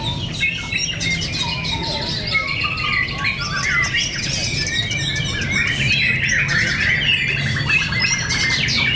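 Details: Competing white-rumped shama fighters (murai batu) in a heated contest, Cibinong. Busy torrent of whistles, trills and harsh chatters builds louder toward the end, over low steady noise.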